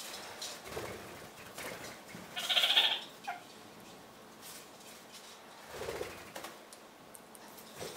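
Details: Two red-crowned parakeets (kakariki) anting, preening their feathers with pine-cone resin and Roman chamomile. One gives a brief, high, bleating half-second chatter amid soft rustles and clicks.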